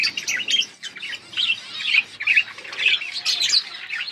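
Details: Budgerigars chirping, played as company for lonely birds: dense, bright warbling and squeaky chirps in quick overlapping bursts, high-pitched, with short pauses and several birds calling at once.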